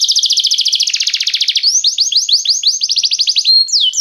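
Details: Restless canary song: a dense rapid trill that speeds up and blurs, then a series of swooping whistled slurs and a few longer downward-sliding notes.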